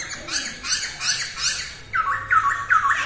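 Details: A captive masked laughingthrush does its early-morning song practice, used as a song tutor. It gives harsh, scratchy squawks about every third of a second, then shifts to clearer, fluty whistled notes repeated at a similar pace.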